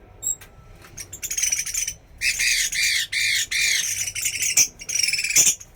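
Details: Hwamei singing a string of loud, buzzy, downward-curving notes in short separated bursts. High clear whistles come before and after the song.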